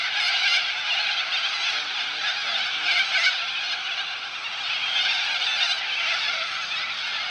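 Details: Flock of cockatoos on the Balerine in Victoria giving dense, grating, noisy screeches, many birds at once, with small louder surges around one, three and five seconds.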